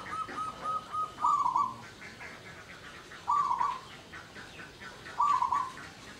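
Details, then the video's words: Local perkutut or zebra dove, singing as a lure to stir mating arousal in other doves: a few short soft notes lead into a rolling, mellow coo, and the trilled coo then repeats about every two seconds over a low hiss. "suara pancingan perkutut lokal❗ ampuh pancing birahi perkutut lain"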